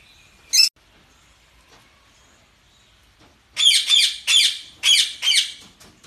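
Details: Budgerigars, kept indoors, giving one short harsh chirp, a pause of three seconds, then a run of five loud squawky, buzzy chatter notes in quick succession near the end, with faint background chirping.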